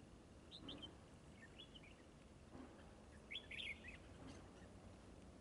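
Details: Red-whiskered bulbul at a trapping setup, described as a fierce fighter with spread display: faint short whistled phrases near one, two and three and a half seconds, the last a quick warbled burst, over steady rural background hiss.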